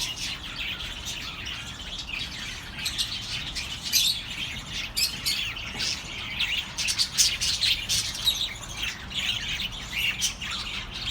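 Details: Birds chirping continuously to comfort lonely pet birds: an unbroken, high twittering chorus of quick tweets and warbles, busiest and loudest in the second half.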